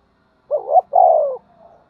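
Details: Single phrase from a spotted dove fighting and calling: a wavering two-part coo then a longer, steadily falling coo, with a faint coo trailing after.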